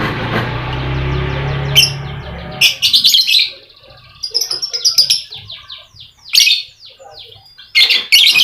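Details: Lovebird singing, played as a lure to get reluctant lovebirds to sing: harsh buzzy bursts alternate with runs of quick descending chirps, separated by short pauses; low hum early on.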